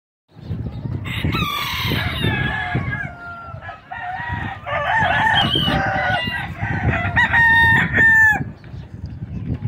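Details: Bantam chicken crowing loudly: drawn-out, strained harmonic notes that waver and break, rising into a harsh, sustained final phrase, with clucking and rough low noise underneath.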